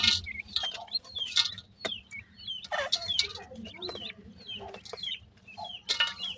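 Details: A brood of francolin chicks in summer chatters with quick, high, falling peeps repeated without pause, broken by sharp clicking knocks and a steady low background hum.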